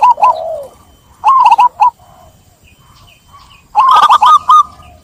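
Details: Zebra dove voice: a low falling purr, then two separated bursts of quick, bubbling staccato coos with near silence between them.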